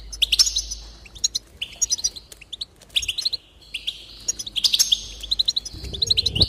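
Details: Goldfinch song meant to spur singing: rapid chattering phrases with buzzy drawn notes and quick chips, repeated about every second or two. A faint rustle is heard near the end.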